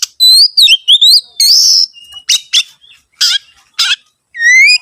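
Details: Oriental magpie-robin song used as a lure to make other birds sing: loud, varied whistled phrases with sliding, rising and trilled notes in short bursts and brief pauses, ending on a rising whistle, against a quiet background.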